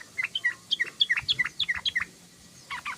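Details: Sooty-headed bulbul chattering in the ngeriwik style: about a dozen quick, paired chirps in a lively, slightly uneven rhythm, then a short pause and a final burst of notes.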